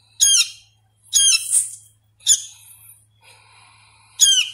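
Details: Hand-fed sooty-headed bulbul chick, still learning to vocalise, giving a few separated, harsh, high squawks with short pauses between them, and a soft thin rasping in one gap.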